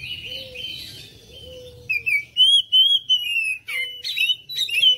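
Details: Oriental magpie-robin song used as a lure to prompt other birds to sing and respond: clear whistled phrases, sliding and warbling, with rapid high chirps in bursts after a quieter opening; a faint low steady tone underneath.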